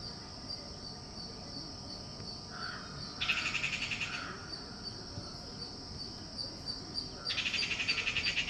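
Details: Unknown bird giving a peculiar call: two harsh, fast-pulsed rattling bursts about a second long, several seconds apart, with a softer lower note before the first, over constant high, regularly pulsing insect-like chirps.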